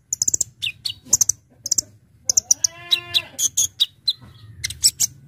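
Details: Brown-throated sunbird in 'gacor' song full of varied fills, recorded for luring: dense high chips and ticks, with a buzzy descending trill midway, and a low hum beneath.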